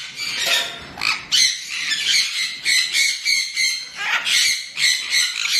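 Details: A young, angry severe macaw gives loud, raspy squawks in quick bursts, roughly two or three a second, harsh and high-pitched throughout.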